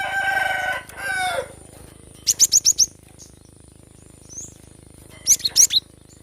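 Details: Cinereous tit singing in a recording meant to stir quiet birds into song: a loud, harmonic, drawn-out call opens, then two quick runs of four to five very high, ringing chirps, over a faint steady whine.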